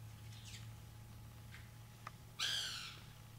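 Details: White woodpecker eating banana, giving one loud, harsh, harmonic-rich call near the end after quiet stretches with faint short notes and a steady low hum.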